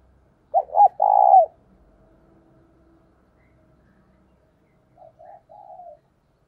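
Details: Decoy spotted dove calling to excite wild doves nearby. A single loud phrase, two short notes and a drawn falling coo, then a low hum, and a faint, softer coo phrase at the end.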